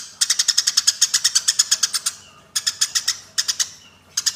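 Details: Eurasian tree sparrows fighting, as a training recording for songbirds: a long, steady stream of loud, rasping chirps at about seven per second, a short break, then further clusters of chirps.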